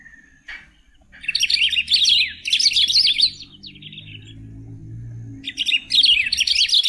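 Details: Golden-billed saltator (Saltator aurantiirostris), locally called pepitero or picahueso, singing loud, rich warbled phrases of tumbling whistled notes about a second long, repeated after short pauses, with a brief thin note before the first phrase and a low hum underneath.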